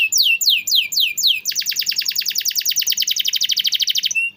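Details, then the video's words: Canary song used as a master recording for training canaries that sing rarely or have stalled: four downslurred whistles, then a fast, even trill of rapid high notes lasting nearly three seconds. "masteran burung kenari rajin bunyi cocok buat pancingan kenari susah bunyi/macet"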